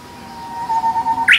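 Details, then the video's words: A Korean bush warbler in April in a mountain village near a bamboo grove holds one long, pure whistle that swells for about a second, then breaks into a sudden rising flourish. "휘파람을 부는 새가 있다"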